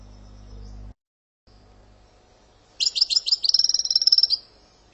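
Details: Algerian European goldfinch singing sortie and passade phrases such as brrrt, gazarat, tiwawati, dawdaw, kiyakiya, sawsaw and djiw. A low hum cuts off first, then a short stuttering phrase turns into an even, fast buzzy trill of about 1.5 seconds.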